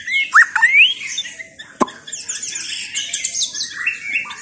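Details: White-rumped shama of the Chao Singto line opening with quick rising whistles, then a sharp click and softer twittering, scratchy notes that trail off.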